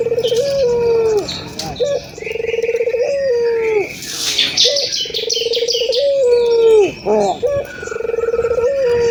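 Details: Local ringed turtle dove, a prolific cooer, used to prompt other doves to start cooing. It gives a rolling, throbbing purr that swells into a long steady coo and drops at the end, repeated about every two and a half seconds. Faint chirps sound behind.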